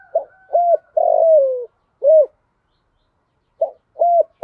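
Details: Female spotted dove decoy calling to stir and lure males, in the 'giọng thổ pha' manner with one final note. Soft hooted notes lead into a long sliding coo, then a round closing hoot; another phrase begins after a pause.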